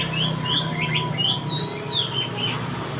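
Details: Male wambi singing clear whistled notes between mid and high pitch, some rising and some slurred, given in a quick uneven series, over a steady low hum in the background.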